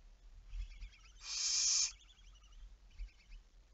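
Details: A barn owl, 11 May 2019 at 23:34, utters one strong hissing screech of about two-thirds of a second, with faint thin chittering sounds before and after it and low thumps.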